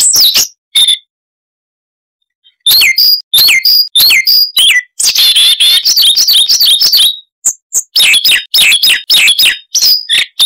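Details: Chattering, many-variation song of a Siberian rubythroat (Luscinia calliope), noise reduced: brief high notes, nearly two seconds of silence, then a long tumbling stream of sharp chirps, slurred whistles and twittering that runs almost continuously.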